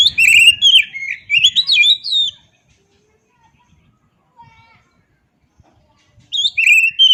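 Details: Oriental magpie-robin singing: a rapid burst of varied, sweet whistled and chattering phrases lasting about two seconds, a silent pause of roughly four seconds, then the song resumes with bright whistles.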